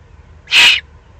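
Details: Juvenile Eurasian eagle-owl, excited, Eifel, Germany, 21 June 2020: a single harsh, breathy screech-hiss, even in loudness and abrupt at both ends, over soft background noise.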